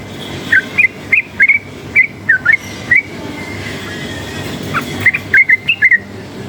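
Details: Forest-type yellow-vented bulbul, agitated by noise, sings clusters of brief bright whistled notes, a burst of several, a silent gap of about two seconds, then another quick cluster, with faint traffic-like rumble behind.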